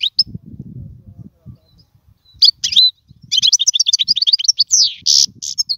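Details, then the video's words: European goldfinch singing, a song meant for training young birds: a quiet start with only a low background rumble and a few thin notes, then a long run of rapid, tinkling twitters and buzzy trills. "اسمع المقنين واعطي رايك فيه,افضل تغريد لتعليم الفراخ"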